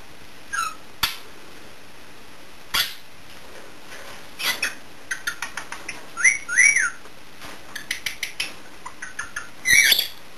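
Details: Pet blue budgerigar flying out of his cage, dive-bombing and chasing a cockatiel to intimidate it, gives scattered bright chirps, sharp clicks and short rising-falling whistles.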